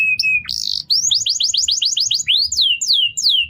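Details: Canary tutor song: a flat whistle, a short buzzy burst, then a rapid series of rising whistled notes followed by several falling sweeps.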